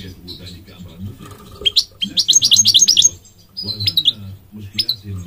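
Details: A goldfinch sings a quick string of sharp, high twittering notes, then a few thin slurred whistles, with a low humming background.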